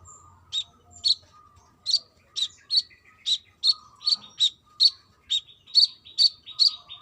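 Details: Brown-throated sunbird in lively trotol delivery, female calling the male: a fast, uneven run of piercing high chirps, over two per second, with a soft background hum.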